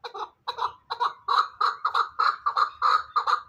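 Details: Hybrid fighting chukar partridge, kept in captivity, calling a rapid run of harsh, clucking chuk notes about three per second. The notes are steady and rhythmic, with a few soft low knocks in the background.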